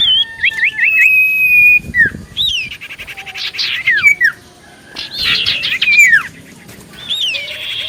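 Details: Common iora singing lively as a lure to provoke other ioras to answer: quick high whistled notes, rising and falling slurs and buzzy trilled phrases, with short pauses between bursts.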